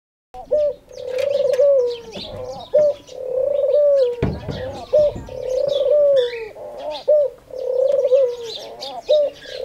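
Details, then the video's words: Khumra, or singing dove, said to call "Haq Allah Hoo" daily at prayer time: long rolling coos, each ending in a falling slur, repeated about every two seconds, with chirps of small birds and one brief loud knock. "Khumra (singing dove) saying Haq Allah Hoo"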